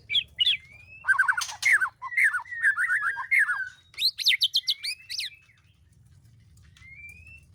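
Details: Captive white-rumped shama in breeding condition, mating season at a breeding aviary: loud, varied song of rapid chattering bursts mixed with clear whistles and slurred notes, ending in a quiet, thin rising whistle.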